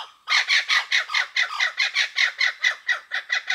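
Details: Blue-winged kookaburras calling in the woodlands of Kakadu and Arnhem Land, Australia, with maniacal, angry-sounding cackles. About fourteen harsh, rhythmic notes come rapidly and evenly, roughly four per second, over three and a half seconds.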